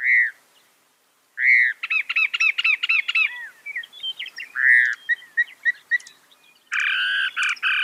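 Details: Northern mockingbird singing loudly: a rich downslurred whistle, then a rapid series of repeated chirps, the whistle again, scattered notes, and a harsh, dense burst at the end.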